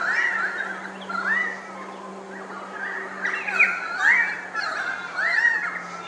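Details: Pied currawong uttering rich, rolling whistled phrases that swoop upward and break off, repeated about every second, over a faint steady low hum.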